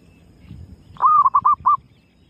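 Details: Female zebra dove calling as a lure: after some low background rumble, a single sustained clear coo followed by three brief, evenly spaced clipped notes.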